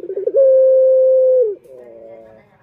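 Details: A male puter turtle dove, used as a lure for males, gives a quick rattling lead-in, then a loud sustained level coo that slides down, followed by a soft low purr.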